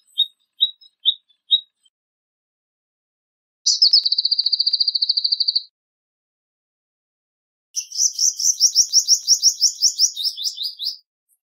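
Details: Song of a Palestine sunbird: four spaced high chirps, then an even, buzzy trill held for two seconds, followed by a coarser, pulsing high trill of about three seconds.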